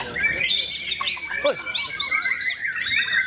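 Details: White-rumped shama singing: a quick series of high, arched whistled notes repeated about three times a second over a thin steady tone, with other birds chirping in the background.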